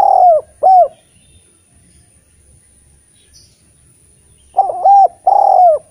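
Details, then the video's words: Eurasian collared dove song used to lure spotted doves into singing: a pair of soft, low coos, a long silence, then a tight run of repeated coos and a longer hooting note. "Derkuku gacor cocok untk memancing tekukur bahan yg malas bunyi N menjadi Masteran derkuku terampuh"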